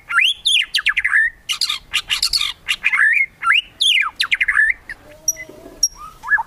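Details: Kretekan song of a white-rumped shama, murai batu, used to make rivals sing: loud arching slurred whistles mixed with harsh broadband rasps, then softer thin high notes.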